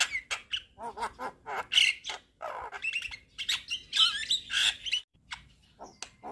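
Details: Javan myna in lively song, nodding along, mixing chuckling low notes, harsh squawks and scratchy chatter with bright whistled phrases, ending in softer scattered clicks.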